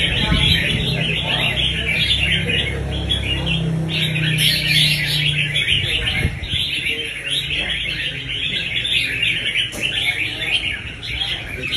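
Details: Fast 'đánh nết' singing from a red-whiskered bulbul: rapid, busy twittering notes, nearly three per second, in a continuous run, with low music fading out early on.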